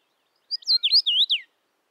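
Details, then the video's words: A common rosefinch (Carpodacus erythrinus) sings one short phrase of four or five clear, slurred, rising and falling whistles lasting about a second, against a quiet background. "Птица Витю видел? Голоса птиц. Обыкновенная чечевица."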